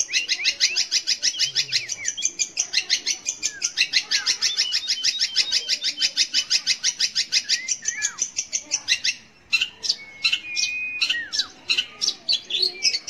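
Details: Long-tailed shrike song for stimulating young or mute shrikes to sing: long run of dense, rapid chattering notes, then a pause and scattered whistles and squeaky slurred phrases.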